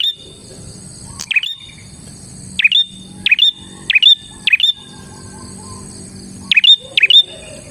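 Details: Persistent bar-winged prinia singing. Loud, sharp chirps fall in pitch and end in a short level note. They come in irregular runs of two to four with gaps between, over a faint steady high tone.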